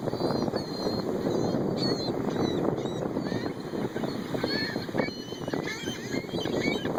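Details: Several wild gulls being hand-fed give overlapping high, nasal mewing and squealing calls over a steady roar of wind and engine noise.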